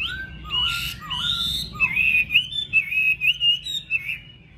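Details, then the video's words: Caged Chinese hwamei with a golden bill, kept at home in Vietnam, sliding through low whistled drops and then a rhythmic chain of ringing, evenly spaced whistled notes that fades out. "Họa mi MỎ VÀNG"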